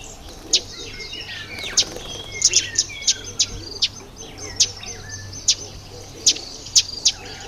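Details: Red bishop in breeding season, when males turn black and red and weave nests in reeds over water; sharp high ticks scattered about once a second, with faint chirps and whistles from several birds beneath.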